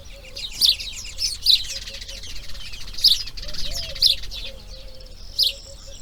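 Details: Grey heron chicks in the nest, day two of breeding: sharp high chirps in brief bursts, spaced irregularly about one second apart, over a faint steady low hum.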